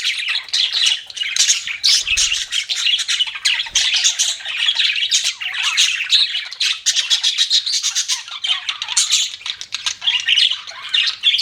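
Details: Steady, dense budgie chirping from pet birds: fast clicking twitters and raspy squawks running almost without a break, with a couple of soft low bumps.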